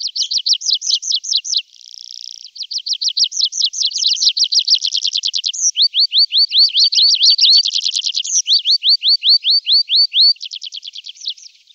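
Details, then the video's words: Tree pipit singing in summer: a long run of high, rapid trills, each series of repeated notes switching to a new pattern every second or two, including a stretch of sharp upward-sweeping notes, with no other sounds heard. "Prispolone canto richiamo"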